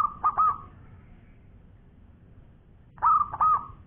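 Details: Zebra dove, local perkutut in full voice, giving two short phrases of stuttered mellow coos trailing into a held note, separated by a quiet stretch of about two seconds.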